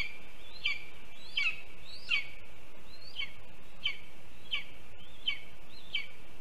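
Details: A lesser spotted eagle chick in a Latvian nest, 7 July 2022, begs for a delivered mole while waiting for its mother, giving high, thin, upslurred yelps about one every three-quarters of a second over a steady hiss.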